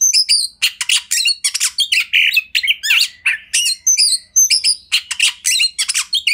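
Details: Master song of a kacer, the Oriental magpie-robin, for tutoring other birds; energetic, scratchy chatter mixed with brief slurred whistles, delivered in rapid bursts with short gaps.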